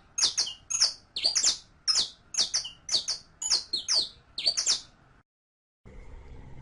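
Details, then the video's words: Saffron finch singing, recorded to teach a captive bird its song: an even series of bright, high, slurred chirps about two per second, then a short silence followed by faint background noise. "ENSEÑA A CANTAR A TU CANARIO CRIOLLO CON ESTE AUDIO DE 15 MINUTOS [SICALIS FLAVEOLA]"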